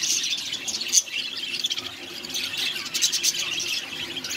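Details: A budgerigar breeding colony in 2020 chatters in a steady stream of high, scratchy chirps and warbles.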